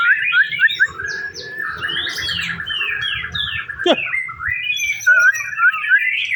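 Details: White-rumped shama singing in a simulated contest: clear whistled phrases, slurred downward notes and quick rising sweeps, with a sharp click near the middle and faint low background hum.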